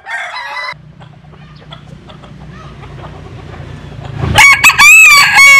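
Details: Jap Cuban bantam rooster sunbathing in the rural west. A short harsh call opens the clip, followed by a low steady hum. Then a loud, wavering crow rises and falls over the final second and a half.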